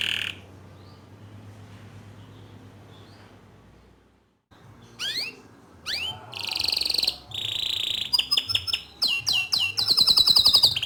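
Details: Bottle-green canary in loud, nonstop 'gacor' song used as a tutor for young and untrained canaries; after several seconds of low hum, high whistled notes begin, then rapid buzzy trills and clicking rattles.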